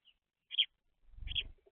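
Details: Two short, bright chirps from baby house sparrows, the second overlapped by a low rumbling thud.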